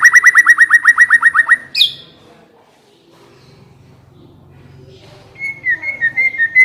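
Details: White-rumped shama song played as a lure to get a shama singing: a rapid buzzy rattle of about fifteen pulses, one sharp high note, a quiet pause, then a row of short whistled notes.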